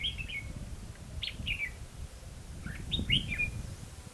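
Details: Red-whiskered bulbul recorded during trapping at Hòa Mạc, Hà Nam. Short, bright warbled phrases with slurred, falling notes come in two bursts, at the start and near the end. A low rumbling noise runs underneath.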